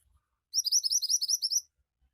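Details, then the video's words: Javan white-eye (mantenan) in energetic gacor song: a fast, even chain of about twelve sharp, high upslurred notes lasting just over a second, with faint low taps before and after. "Burung Mantenan Gacor Cepat Bikin Burung Mantenan bahan cepat ngoceh"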